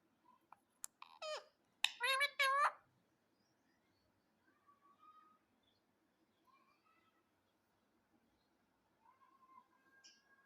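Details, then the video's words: Pet parrot letting out a burst of rasping, harmonic squawks and screeches, then going quiet apart from faint, soft, low warbling notes scattered through the rest of the recording. "parrot calling sound"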